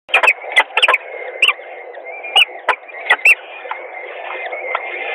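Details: Peregrine falcons at their nest in Gdynia, Poland, during feeding, 17 April 2021 at 12:45: short thin high chirps in quick bursts over steady broadband nest-camera hiss, with clicks and scuffles.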